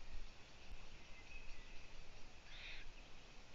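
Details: Owlets at the nest, afternoon of 4 June 2017, looking upwards while the female stays away; a single short raspy hiss stands out late in the clip above a heavy low hum and faint high wavering tones.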